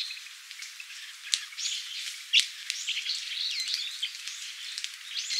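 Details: Japanese grosbeak in Japan in winter 2022, giving short, sharp calls and looping chirps, with two loud ticks among busy overlapping chatter over a steady hiss.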